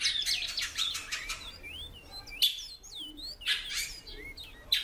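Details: Female great-billed seed-finch calling a lot: short upslurred and curved whistled notes around the mid-high range, spaced irregularly, after a run of rapid dry ticking bursts in the first second.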